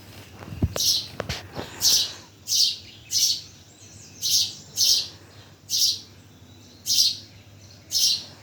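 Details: At Bhimtal a bird chirps steadily, about ten short high notes at near-regular intervals, with two low thumps at the start.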